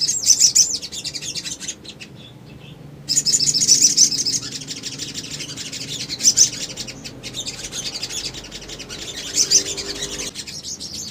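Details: Male little spiderhunter song used as a lure to draw replies from other birds. Bursts of high, sharp, rapid chirping are broken by a brief silence, then resume as a dense chattering series with louder accented notes.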